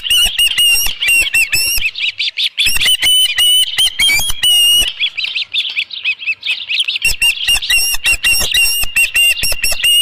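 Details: Osprey at its nest at Dunrovin Ranch with a headless fish, 27 June 2018 around 12:48 PM: loud, harsh, high chirping yelps in rapid repeated bursts, brief pauses near two and five seconds, then more chirps.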